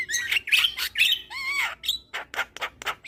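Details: Javan myna (jalak kebo) chattering song used as therapy for stressed mynas that have stopped singing: harsh squawks, rising and falling whistled slurs, then a quick series of rough noisy notes.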